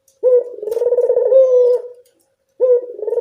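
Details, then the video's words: Evening call of a Barbary dove, played as a lure for reticent birds: one long, rolling, pulsed coo that ends on a steadier note, followed by the start of the next coo. "Suara burung puter senja hari pemikat burung puter malas bunyi"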